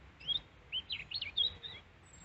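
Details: Hand-tame European robin singing in Peasholm Glen, Scarborough, UK, after feeding on seed; a short, clear phrase of liquid, high warbling notes tumbling up and down, ending in a fading whistle.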